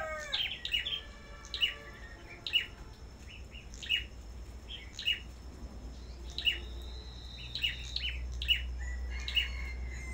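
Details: Black-throated Bushtits kept at a bird farm, singing competitively: sharp high chirps spaced roughly a second apart, with a brief burst of whistled notes early on and a low hum underneath.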